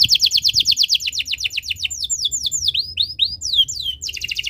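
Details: Canary in breeding condition, its song meant to make other birds sing: a fast trill of high repeated notes, then slower downslurred whistles about three a second, and a closing quick trill.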